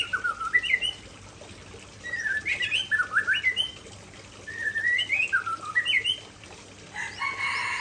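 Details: Rich whistled phrases from an Aceh white-rumped shama in bursts of about a second, each a quick zigzag of rising and falling notes, ending in a harsh, buzzy rasp that forms part of its fill-in repertoire.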